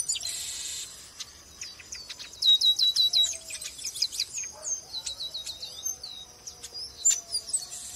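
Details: Chestnut-capped blackbird (Chrysomus ruficapillus), song.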